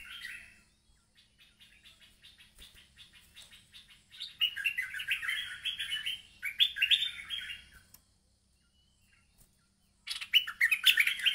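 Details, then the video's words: Quiet rapid ticking leads into loud rolling, chattering phrases from an agitated merbah lekir bulbul calling a rival, then a pause before another sharp burst of jumbled notes. "Merbah Lekir Ngamuk Manggil Lawan"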